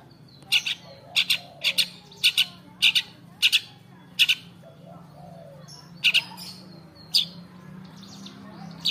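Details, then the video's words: Long-tailed shrike singing in the afternoon: sharp, harsh clicked notes, often in pairs, repeated roughly every half second with short pauses, over a steady low hum. "CENDET GACOR DI SORE HARI"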